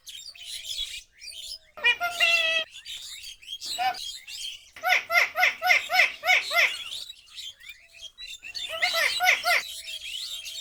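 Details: A talking pet Alexandrine parakeet gives bursts of harsh, rapid chirps and chattering, with a quick run of repeated squawks in the middle and softer squeaks between.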